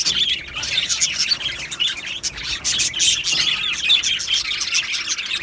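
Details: Australian budgerigar colony, 15 July 2025, chirping in an aviary: overlapping sharp tweets and chattering phrases from numerous birds, swelling and easing in uneven waves.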